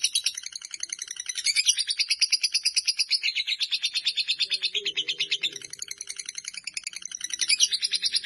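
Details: Fighter lovebird sustaining a ngekek chatter, a rapid, pulsed, high trill of harsh notes, with faint low background sounds partway through.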